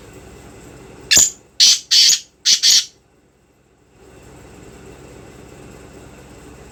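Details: Male Sindhi black francolin giving its breeding call: five loud, harsh, grating notes in a quick rhythmic series lasting under two seconds, followed by quiet and a low background hum.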